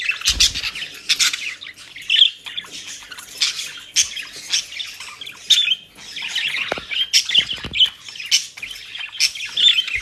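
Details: Pet budgerigars in Den Haag, South Holland, Netherlands, enjoying dry leaves and grass bought from a bird shop. Busy, continuous high chirping and scratchy warbling, with short squawks, sharp clicks and rustling throughout.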